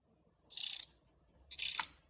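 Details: Oriental magpie-robin chick calls played as a lure for adult birds: two harsh, buzzy, hissing bursts, each about a third of a second long and finely pulsed, separated by a second of silence.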